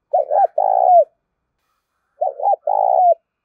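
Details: Spotted dove cooing while provoked to fight: two phrases, each a quick warbled double note then a long, steady, slightly falling coo, about two seconds apart, with a quiet background.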